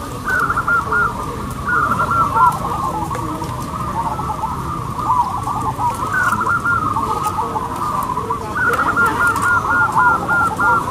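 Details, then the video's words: Local zebra doves at a singing competition: many birds cooing together, with rapid, bubbly, repeated mid-pitched notes that overlap continuously over a steady background hiss and low rumble. "LOMBA PERKUTUT LOKAL ISTIMEWA."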